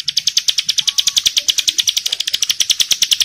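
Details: Female Bar-winged prinia in breeding mood calling to other females, answered in turn: a dense, unbroken stream of rapid, bright chip notes, close to ten per second, steady throughout.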